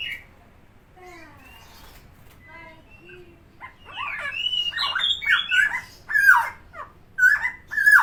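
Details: Tame helmeted friarbird, known locally as koak kao or cucak timor, in lively voice. A few faint harmonic notes come first. Then a burst of loud, harsh, varied squawking and whistled notes sweeps up and down, with abrupt choppy phrasing.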